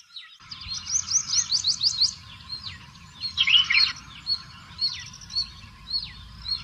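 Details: Red-whiskered bulbul calling amid other chirping birds: a quick run of high trilled notes, a harsh buzzy burst, then short whistled chirps repeated about every half second over a low rumbling background.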